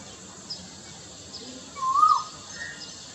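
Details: Male Asian koel courtship call, made to attract females: a single clear, rising whistled note sliding upward and ending sharply, over steady background hiss.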